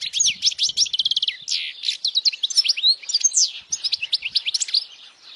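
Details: Powerful European goldfinch song aimed at teaching young goldfinches: quick tinkling twitters, a buzzy rattled trill and many slurred rising and falling whistles in a continuous stream, with faint low thuds.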